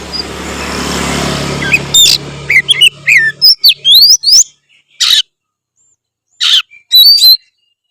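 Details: Oriental magpie-robin in active song over a low rumbling background that fades out, giving rapid sweeping whistles and sharp chirps in a burst, then spaced piercing notes.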